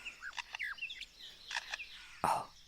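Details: Male superb lyrebird singing in Australian rainforest to attract a female, mimicking quick whistled swoops and chirps, then a sharp broadband click-burst near the end imitating a camera shutter.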